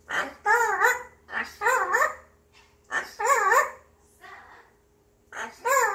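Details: Pet grey parrot indoors, humming to itself on a day it seems in a good mood; wavy, warbling voiced phrases of about half a second, sliding up and down in pitch, repeated four times with short pauses and a faint room hum.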